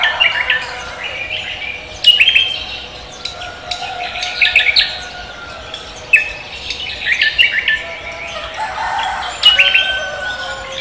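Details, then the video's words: Cucak kombo leafbird in full morning song: loud rapid phrases of whistles and squeaky chatter coming in bursts, with thin sustained notes between them. "cucak kombo koak kelapa gacor menyambut pagi"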